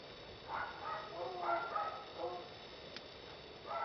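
Clay-colored Thrush giving short, rich, mellow warbled phrases, about one each second, over a steady background hiss.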